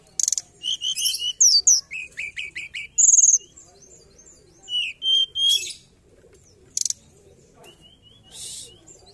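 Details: A forktail, in a lure recording, gives thin, high whistles and sharp buzzy bursts in uneven, quick runs, with short pauses between phrases.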